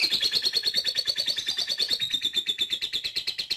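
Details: Lovebird ngetik chatter, used to prompt long ngekek singing: a rapid, rattling series of high, slightly buzzy notes at an even pace, pitch gently sagging midway, continuing without pause.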